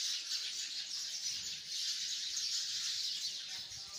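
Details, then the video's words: A tree full of hundreds of sparrows gives a constant, shrill twittering roar, countless short chirps blending into one steady sheet of sound with a brief dip near the middle. "chirping of hundreds of sparrows in the tree"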